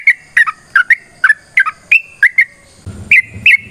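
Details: Liquid, gurgling phrases of a yellow-vented bulbul's long fighting song, a lure meant to make other bulbuls sing back; a low rustling noise joins near the end.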